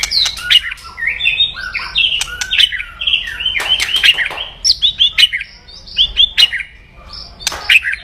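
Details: White-rumped shama, a loud, aggressive crackling song used to provoke rivals; a dense run of sharp clicks mixed with whistled and slurred notes between mid and high pitch, delivered in rapid bursts with brief pauses.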